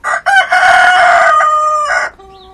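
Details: One of two roosters, a red one and a speckled one, crowing: a short opening note, then a loud, harsh, drawn-out crow held steady for well over a second before breaking off, followed by a faint trailing tone.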